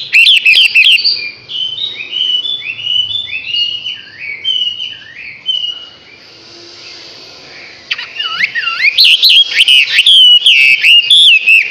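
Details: A six-month-old Chinese hwamei delivering a long run of rapid, repeated descending whistles. A brief quiet pause follows, then a burst of loud, rolling, warbled phrases.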